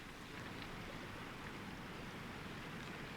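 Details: Steady, rushing broadband noise like wind or surf, with no animal calls.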